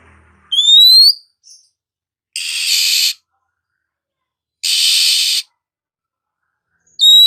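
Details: Morning Oriental magpie-robin: one bright rising whistle, then two long harsh rasping bursts separated by silence, and a final whistle at the end.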